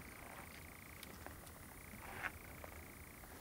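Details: On the De Lemelerberg heathland in the dark, a European nightjar churrs: a steady, dry, mechanical trill, slightly fluctuating, like a sputtering engine about to stall, over faint night background noise; the birds probably have young now.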